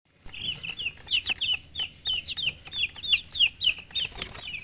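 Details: Colored chickens chirping: rapid, overlapping high peeps, each a short falling or rising note, tumbling out about three per second in uneven bursts over a quiet background.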